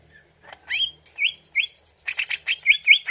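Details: Greater green leafbird song used as a lure to make the bird answer: a soft low note, then rising whistled slurs, then a fast burst of bright chirps ending in sweet looping whistles.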